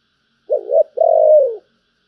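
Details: One low, rounded spotted dove coo phrase in the giọng thổ bầu style: a clipped two-part opening note and a long even coo tapering downward at the end, recorded in quiet conditions.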